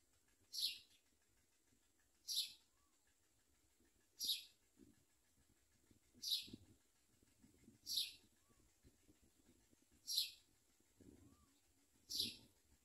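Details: Common myna (Acridotheres tristis) chicks giving hungry begging calls as parents bring locusts to feed them: short, high, raspy hissing bursts about every two seconds, seven in all, over a faint low rumble.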